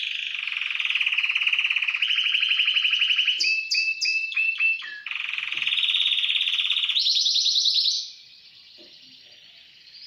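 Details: Caged Timbrado canary singing in an aviary: long metallic rolling trills held for seconds, broken by a few sharp rising whistled notes, then a higher rapid trill before the song fades out.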